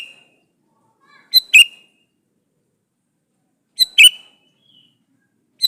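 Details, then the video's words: Male sooty-headed bulbul calling for a female, used as a lure: two clear two-note calls about 2.5 seconds apart, with a faint lone note at the start and end. "suara burung KUTILANG jantan gacor memanggil betina"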